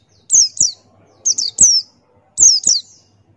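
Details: Buxtoni white-eye male in lively song: shrill, high-pitched notes sweeping downward, delivered in pairs about once a second, with crisp clicks at each note onset and quiet gaps between.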